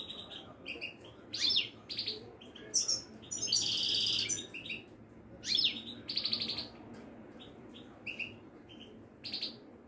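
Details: European goldfinch from Morocco, Wedani type, kept in a cage at a Casablanca bird market, delivering tinkling chirps, a prolonged harsh buzzing trill in the middle, and further rapid twittering phrases above steady low background noise.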